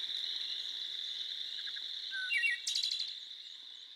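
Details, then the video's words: A Wood Thrush in Minnesota gives a brief phrase of low fluty notes ending in a bright, ringing trill, set against a steady, high insect drone. "Wood Thrush Song"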